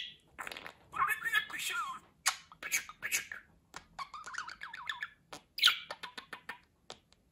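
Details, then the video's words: Talking budgerigar pours out continuous warbling chatter, wavering whistled notes mixed with scratchy speech-like syllables and a few sharp clicks. "Konuşan Muhabbet Kuşu"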